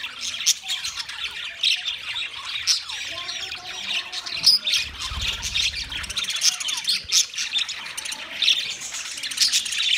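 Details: Budgerigars, the Australian parrot, recorded 13 March 2024: a dense, continuous chorus of overlapping high chirps, warbles and scratchy squawks from several birds, with brief louder peaks and a low rumble near the middle.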